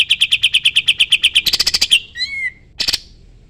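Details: A sooty-headed bulbul in its 'tembak' song, recorded for teaching other songbirds: evenly spaced chipping notes speed into a harsher rattling burst, followed by a short downslurred whistle and one more raspy note.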